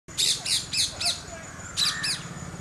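An Alexandrine parakeet gives loud, harsh, grating screeches, a quick run of four followed by a pair, over a low background hum.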